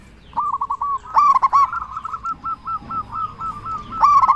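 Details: Local zebra dove cooing loudly and eagerly as a lure for other zebra doves to respond; a rapid stuttering series of short coo notes with louder accented bursts at the start and end.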